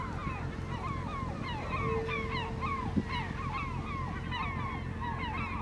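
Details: Flock of Steller's eiders off Vardø, Norway, 5 April 2017, calm and windless: dense chorus of short, arched, nasal calls repeating rapidly and overlapping, above low sea rumble with a brief steady hum and one sharp knock.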